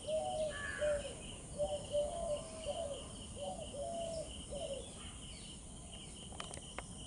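Low, soft cooing notes run in a short series for about four seconds, over a steady insect-like hum and a few clicks near the end.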